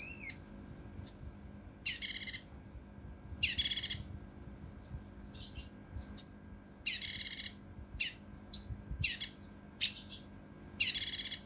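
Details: Mountain leaf warbler song, 'tembakan kasar rapat' style, meant for training competition birds: harsh, rasping high bursts alternating with sharp downslurred whistles, delivered almost continuously in quick succession.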